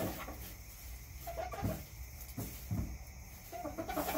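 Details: Backyard chickens clucking softly, short harmonic clucks around the middle and end, with steady low rumble and broadband background hiss.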